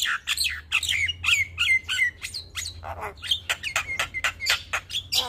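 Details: White-eyed black-winged starling, a champion songbird, in a morning tutoring recording rich in fill-in phrases: harsh squawking notes mixed with slurred falling whistles and rapid clicks, over a faint low hum.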